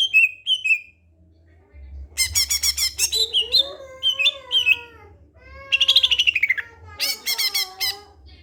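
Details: Greater green leafbird in a varied, lively characteristic song: short downslurred whistles, then rapid chattering trills mixed with rich, wavering warbled notes and sweeping phrases, ending in fast rattling bursts. A low background hum is present.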